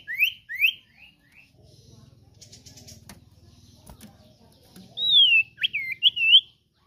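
A common iora gives three or four quick rising whistles, then after a pause a looping, warbled whistle phrase; faint low rumbling fills the gap between.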